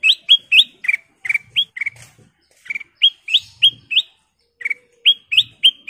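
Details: Kutilang emas bulbul, a golden-coloured bird in full, lively song: fast series of bright, whistled notes, some rising and slurred, others short chirps, around three or four per second with brief pauses.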